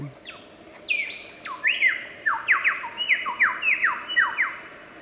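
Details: Wild superb lyrebird, an Australian endemic mimic, delivering a run of clear descending whistled notes, each dropping sharply in pitch, repeated roughly twice per second in an accelerating series.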